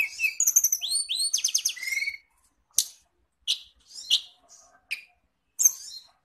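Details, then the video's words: Songbirds named as kacer, cendet, murai and tledekan, played in Indonesia as a lure for training caged birds: two seconds of rich, fast warbling with swooping whistles and buzzy bursts, then isolated sharp chips with quiet gaps. "masteran pancingan burung kacer cendet murai tldekan"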